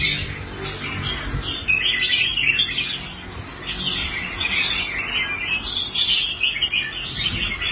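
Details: Red-whiskered bulbul, caged and restored after quitting fights, singing on a competition rack. Chattering warbled phrases repeat through the clip over a noticeable low rumble in the background.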